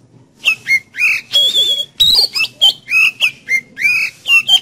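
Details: Energetic Oriental magpie-robin song meant to prompt a kept magpie-robin to open its beak and sing: a rapid, continuous run of loud, varied whistles, slurred notes and a sustained high whistle, repeated several times a second.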